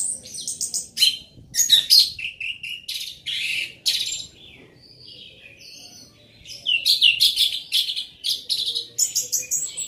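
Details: Loud singing from an orange-headed thrush, a cage bird, pouring out fast, varied high phrases of sharp chirps, trills and slurred whistles in bursts, with a quieter stretch of thin notes midway before the torrent resumes.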